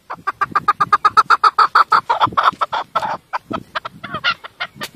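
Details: Chukar partridge giving a rapid, steady run of harsh chuk notes, about five per second, that builds in loudness, then breaks into looser, uneven clucks near the end.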